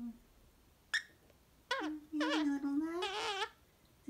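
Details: Pet parrot mumbling while taking its afternoon nap indoors: a sharp click, then a drawn-out run of wavering, babbling speech-like syllables with squeaky bends, lasting nearly two seconds before a final click.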